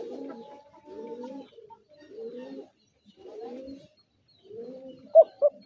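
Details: Spotted dove gives low, soft, throaty coos in short phrases about once a second, ending with a few sharp knocks.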